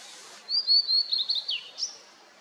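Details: In misty post-rain mountains, a Blue-and-white flycatcher gives a bright whistled phrase of several high notes, a descending slur, and a quick rising flourish to finish.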